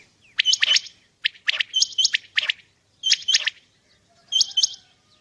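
Common quail giving its liquid, clipped three-note phrase, 'wet-my-lips', in quick bursts about every second or so, high and sharp, with a quiet background.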